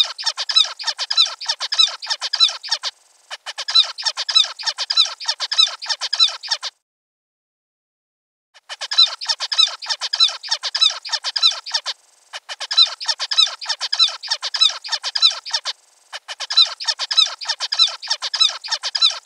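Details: Zebra finches (Poephila guttata) give rapid, nasal, toy-trumpet-like beeps in busy bursts of chatter.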